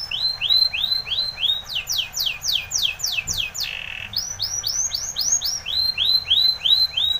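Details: Timbrado canary singing for training, with even rolling phrases of arched whistles, a faster run of steep descending notes, a brief buzzy tone, then steady looping arched notes again.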